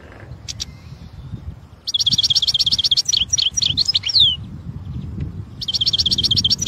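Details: In natural surroundings, a European goldfinch sings loud buzzy trills of fast repeated notes that break into swooping slurred twitters, then starts a new rapid trill, over faint low outdoor noise.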